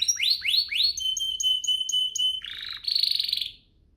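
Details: A domestic canary sings a phrase meant to set other canaries singing: three down-slurred swoops, a level whistled note pulsing about four times a second, then a low rolling trill and a buzzy high burst before silence.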